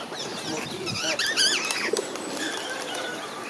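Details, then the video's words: Cheeky parakeets begging people for food, eating from the hand, one landing on a person's head to get a nut: a burst of loud, harsh, zigzagging screechy calls in the middle, over crowd murmur and background chatter. "Cheeky Parakeets beg for food - lots of Parakeet sounds and noises"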